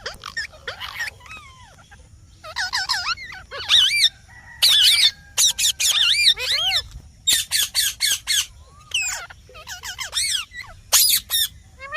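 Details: Green parrot squawking repeatedly, about once a second: rough grating calls, some in fast runs of three or four, mixed with wavy whistled notes.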